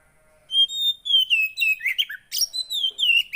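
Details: After a brief silence, a clear high whistle slides downward and breaks into rapid, repeated twittering notes, several per second, from a Javan white-eye. Played to get a quiet bird singing.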